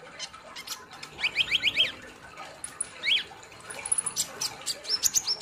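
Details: Olive-backed sunbird singing in gacor nembak style: a short run of quick up-down chirps, a lone sharp note, then scattered thin high trills over a steady hiss of background noise.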